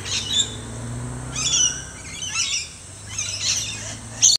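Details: Rainbow lorikeets at dusk in a flowering trumpet tree in a neighbouring garden, several birds flying around; short, harsh, high screeching bursts come about once a second over a low, steady hum.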